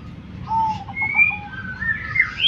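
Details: Zebra dove calling: one brief burst of rapid staccato coo notes ending in a short drawn-out tone, with thin whistles from other birds above and a low background hum.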